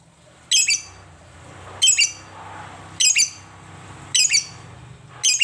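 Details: Lovebird, described as one that rarely sings, giving shrill, harsh chirp bursts about every 1.2 seconds, each a short rasping cluster of high notes, over a low indoor hum.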